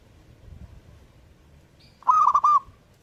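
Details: Single burst of zebra dove song: a short, loud, bubbling run of clipped cooing notes lasting about half a second, preceded by one faint high note. Otherwise a quiet background.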